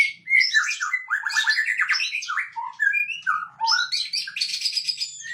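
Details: White-rumped shama singing on a bright morning, a fast varied run of whistles, slurred chirps and rapid trilled phrases jumping between high and middle pitches, with barely a pause.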